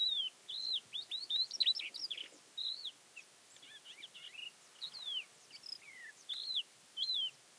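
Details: In April 2017 near Castro Verde, Alentejo, Portugal, a Thekla's lark (Galerida theklae) sings a varied run of arched whistled notes and rapid chirps, bright and high, broken into short phrases with quieter scratchy notes.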